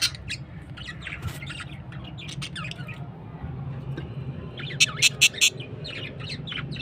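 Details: Breeding budgerigars chatter with scratchy chirps and warbles, then give a few loud sharp squawks.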